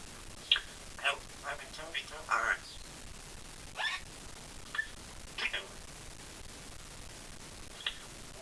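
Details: A female Congo African Grey Parrot talks in short, clipped, speech-like phrases, including "Help, I've been turned into a parrot!", with a few sharp whistles, in a quiet room.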